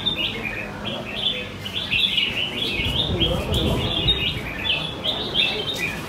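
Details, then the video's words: Red-whiskered bulbuls singing against each other at a caged bird contest in Quy Nhon, Vietnam, morning of 21 June 2020. A continuous chatter of high, sharp whistled notes runs through, with crowd noise low in the background. "Hội Thi Chào Mào Hót Đấu Giàn – Luyện Giọng Chào Mào Hót Sáng"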